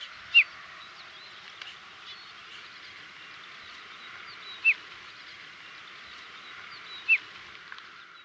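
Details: Desert lark in Morocco gives three short, bright, slow chirps, spaced several seconds apart, over a steady background hiss.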